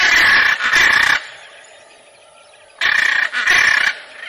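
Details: Harsh macaw calls: a pair of loud, rasping squawks, a quiet gap of over a second, then another pair of equally coarse screeches.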